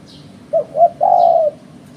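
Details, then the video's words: Spotted dove calling, a sound used by bird trappers as a lure: two short low coos followed by one longer, drawn-out falling coo, with faint high chirps of another bird behind. "Suara Burung Terkuku"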